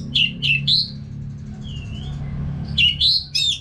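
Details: Orange-headed thrush from North Bali singing non-stop, used as a training sound to prompt caged birds to sing along: sharp bursts of high whistled notes, a soft sliding whistle, then another rapid phrase, over a low steady hum.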